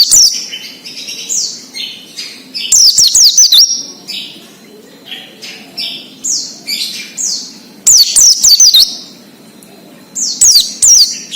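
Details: Oriental white-eye 'ngalas' song, a wild-style chorus used to lure untrained captive birds into singing: scattered soft downslurred chirps from several birds, broken by three loud bursts of rapid high zigzag whistling.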